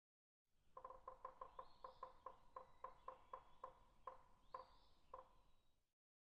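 A woodpecker taps wood in hollow knocks, quick at first, then slowing to about two a second. A faint, thin rising whistle from another bird sounds twice.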